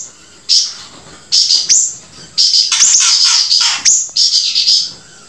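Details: Grey-breasted prinia singing long, high, buzzy trills in three bursts separated by silent gaps. The middle burst is loudest and most rapid, with fast chattering notes.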